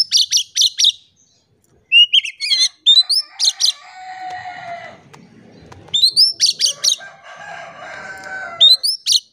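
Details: Oriental magpie-robin song used as a lure to make silent magpie-robins sing: bursts of rapid, sharp, repeated chattering notes and upslurred whistles, broken by pauses and softer warbling phrases.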